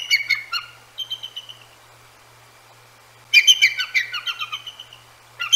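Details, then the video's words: Bald eagles at the Decorah North nest around 10 p.m. in mid-January 2024, woken by two great horned owls hooting, give high, thin, piping chatters that slide downward, in two main bursts, telling off the owls. "Eagles Vocalize at GHOs"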